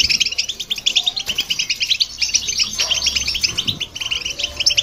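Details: Goldfinch song mixed with a hybrid's, played to irritate other birds: continuous high, tinkling chatter of quick liquid notes, with a few brief pauses and soft low background rumble.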